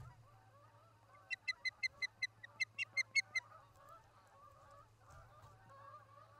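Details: Osprey at a nest in Charlo, Montana, on a nest camera on the evening of August 29, 2018. Two quick bursts of sharp, high, piercing cheeping notes, about six in each run, sound over a steady low hum and faint background rustle.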